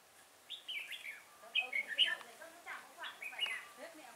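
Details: Red-whiskered bulbul at Chùa Hương, Vietnam, 5 March 2018, where a decoy bird was used for trapping: a busy run of sweet whistled and warbled phrases, several birds calling, some overlapping, with faint voices below.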